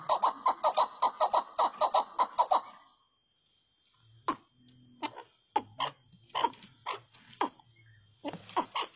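Chukar partridge giving a fast run of about a dozen harsh, clucking chuck notes, then slower, spaced single chucks after a brief pause.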